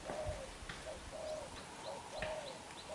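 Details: Young black-eyed spotted dove, recently caught, cooing strongly in đập gù style: short, soft, low coos in quick succession, with faint high chirps and light clicks behind.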